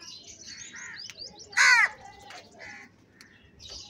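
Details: A crow at feeding time gives one loud, harsh caw of about a quarter second, rich in stacked harmonics. Small birds keep up high chirps and twitters before and after it.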